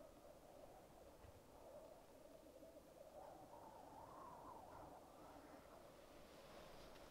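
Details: Black grouse displaying at a lek, recorded with a Rode Videomic Go: a rolling bubbling chorus that rises and wavers in pitch midway, then eases, with a soft hiss near the end.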